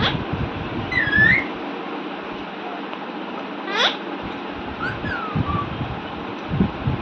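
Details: A pet Alexandrine parakeet, making happy sounds while talking with its owner, gives a few short, sliding whistles and one sharp squeaky chirp, spaced a couple of seconds apart, over a steady low indoor hum.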